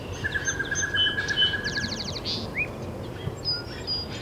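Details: Great-tailed grackle at Taos, New Mexico, 17 June 2017: a drawn-out buzzy tone with high chips, then a fast metallic rattle and an upslurred whistle, followed by scattered thin whistles over constant low background rumble.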